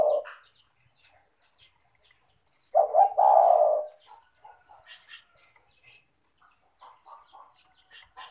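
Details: Spotted dove, known locally as tekukur, in lively calling form, used as a lure to prompt lazy doves to call: a brief low coo, then one loud, low, throaty cooing phrase, with faint scattered chirps of other birds.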